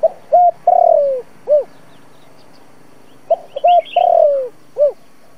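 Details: Spotted dove used as a trapping lure, calling in a 'giọng thổ' style. Two full coo phrases about three seconds apart, each a quick note, a steady hoot, a drawn-out falling burr and a rounded end note, with faint chirping above.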